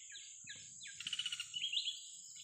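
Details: Wild Oriental magpie-robin giving a short phrase of whistled notes, then a fast rattling trill and a few rising whistles, over a steady high insect-like hiss.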